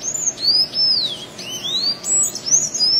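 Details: A blue Sayaca tanager singing free in the wild gives a run of thin, squeaky, high notes that slur up and down without a break. No other clear sounds.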